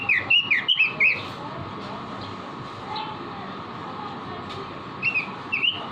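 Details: Robin singing as a master recording for training caged birds: a quick burst of bright, slurred whistles, then a pause of several seconds with steady hum, then a shorter burst of similar whistled notes.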